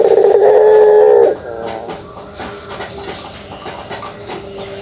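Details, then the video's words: Single long, low, purring kugeruk coo from a pelung dove lasting just over a second, followed by near-quiet with faint background hum. "suara kugeruk burung puter pelung"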